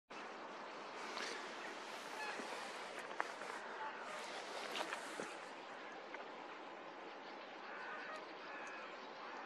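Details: A flock of brant geese (Branta bernicla) at Verken, Heradsbygd, Norway, in 2023 keeps up a dense, continuous chorus of overlapping, throaty murmuring honks, with no clear gaps between the calls.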